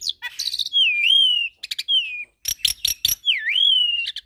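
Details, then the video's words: Asian pied starling song mixed with Nias hill myna and a Nias x Suren hybrid for masteran training. Clear swooping whistles rise and fall, broken by harsh crackling bursts; a final dipping whistle ends the phrase. "Masteran Jalak Suren dan Jalak Nias Dengan Kicauan Jalak Hybrid Nias X Suren Gacor Isian Unik"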